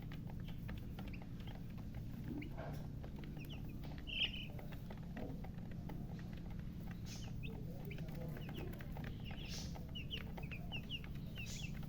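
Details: Newly hatched chicken chicks chirping loudly: scattered short, high, down-slurred peeps, sometimes several a second, over a steady low hum.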